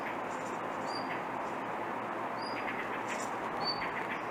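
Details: Blue rock thrush calling persistently rather than singing a fine song: three thin, short, high whistles, each slightly rising, spaced about 1.3 seconds apart, over loud, steady broadband background noise.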